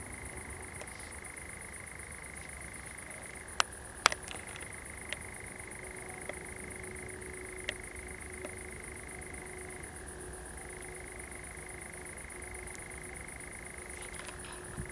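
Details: Common nightjar churring through the night in a pine plantation at Zamudio, Txorierri, Biscay, 7 July 2020, with fireflies; a steady reeling trill dips lower for a moment, with scattered sharp clicks and knocks.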